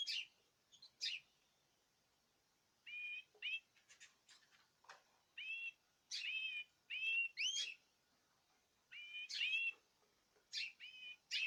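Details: Group song from caged birds fed a natural, varied diet; scattered bursts of paired whistled notes and sharp chirps, arriving in irregular clusters every second or so across the stretch.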